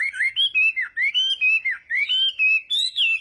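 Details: Chinese hwamei in morning voice training for singing duels, giving loud rich whistled phrases of rising and falling slurs, each note about a third of a second, delivered steadily without pause.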